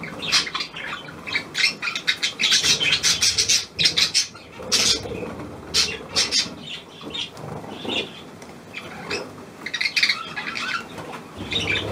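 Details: A hand-tame Australian pied budgerigar, newly acquired, chatters in dense bursts of harsh, high notes. The bursts come in quick clusters, then thin out into sparser calls.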